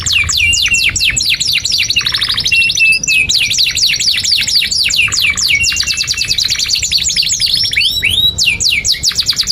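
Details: Canary singing a long song for training young canaries: dense runs of fast falling notes over a steady high whistled tone, rattling trills, and rising and falling sweeps near the end.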